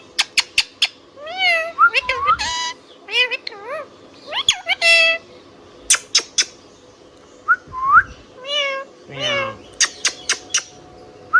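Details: Indian ringneck parrot kept indoors, giving a run of rising and falling whistled notes with harmonics, mixed with sharp clicks and short chirps, plus a low steady hum in the room.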